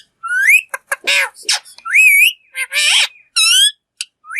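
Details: A talking green parrot mixes rising slurred whistles with broad raspy squawks and short clicks, in a busy, nearly continuous run of sounds.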